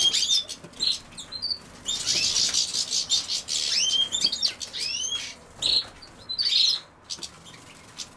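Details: European goldfinch associated with common sow-thistle, chattering in rapid, tinkling chirps and upswept notes, with a stretch of dense, hissy rustle in the middle and quieter gaps later.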